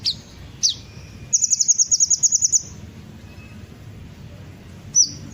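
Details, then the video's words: Sunbird known as kolibri ninja, played to provoke other birds into song: two thin falling whistles, then a fast even run of high sharp ticks lasting over a second, and a last brief high note after a pause. "pancingan suara burung kolibri ninja pasti langsung ikut bunyi"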